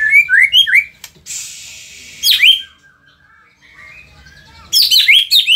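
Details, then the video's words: White-rumped shama from Indonesia: a few quick upslurred whistles, a long hiss, then sharp chirps and a cluster of high, scratchy downslurred notes. "auto emosi !! murai gacor super figter | shama bird Indonesia"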